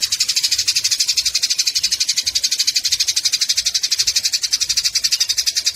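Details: Eurasian tree sparrows fighting, a tutor sound for songbirds: steady torrent of shrill, scratchy chattering notes without any pause.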